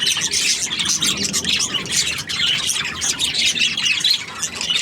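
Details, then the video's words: Cheerful budgie chatter: rapid overlapping high chirps, trills and squeaks from several birds at once. "Happy Budgie chirping sounds"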